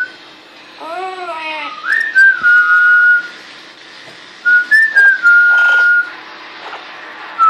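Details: Female pet parrot kept indoors in Quebec, Canada, giving some of her first whistles: a clear whistled note that rises, dips, then holds steady, repeated twice with a pause between. A person speaks briefly and there is faint room noise.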